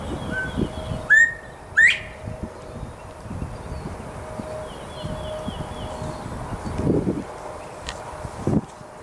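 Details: Male Northern Bobwhite in a Texas tree gives one clear, loud call, a level whistle then an upsweep. It is followed by rustling, handling noise and faint distant chirps.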